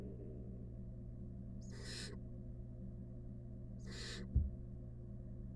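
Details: Wild barn owl in a monitored nest box holding rat prey; two harsh, broadband hissing screeches about two seconds apart, each roughly half a second long, with a soft thump near the end over a steady low hum.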